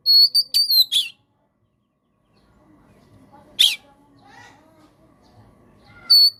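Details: Oriental magpie-robin (kacer) singing gacor, a lure for kacer gone silent: a quick run of high whistled notes, then a long gap with faint background rumble, one harsh burst and a final bright whistle.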